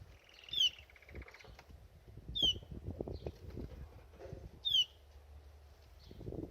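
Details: Canary bathing in a birdbath, giving three sharp, high, downward-slurred chirps spaced about two seconds apart, with splashing and fluttering water sounds between them.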